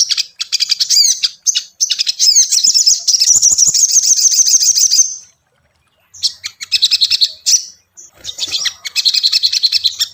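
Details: Tailorbird song played as a lure to build a caged bird's confidence and make it sing: bursts of very high, fast chattering and twittering trills, a silent gap midway, then more rapid repeated chirping phrases.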